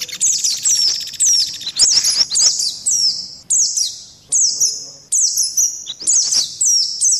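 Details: Indian white-eye lure call used to attract birds, a chosen combination of mixed calls: bright high chirps sliding downward in quick clusters, repeated in bursts about every second, with a faint buzzy rattle underneath.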